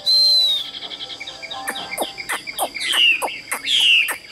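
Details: Caged Chinese hwamei kept for sale in Vietnam gives one long, clear whistle, then a series of sharp clicks and clacks, followed by loud downslurred whistled notes.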